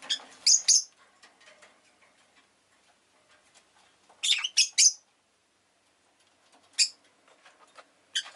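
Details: Rosy-faced lovebird repeating clusters of three sharp, shrill, rasping chirps every few seconds, followed by single notes, over soft background clatter.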